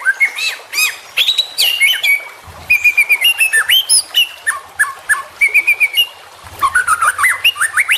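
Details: Juvenile white-rumped shama, a training recording meant to get young birds singing; rich varied song of whistled notes and harsh buzzy phrases with rapid repeated chips, loud and busy throughout.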